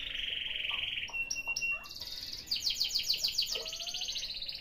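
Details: Canary song used to stimulate a canary that is lazy to sing: a rapid buzzy trill around high pitch, then brief pure whistled notes, followed by fast repeated downslurred chips in a rolling series.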